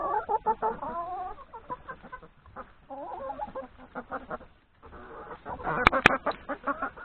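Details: A yard flock of hens and three roosters at breakfast, before going out to forage in the forest, gives busy wavering clucks and short warbling notes, with two sharp clicks near the end.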